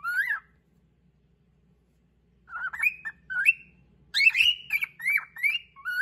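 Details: Pet cockatiel singing a "song attack" to claim a rival's favourite perch: a brief whistle, a long pause, then clustered warbled whistles and dipping notes, louder toward the end, over a faint low hum.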